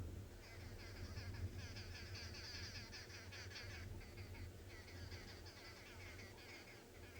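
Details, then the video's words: Arrow-marked babblers, heard but unseen on an African safari drive, chatter as a group in harsh, nasal, rapidly repeated bursts that overlap into a raucous chorus over a steady low rumble. "So the birds that you're hearing, they are arrow-marked babblers."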